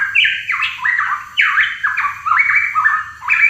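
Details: Continuous, rich whistling from a hooded pitohui, with descending stepped notes tumbling one after another without a break.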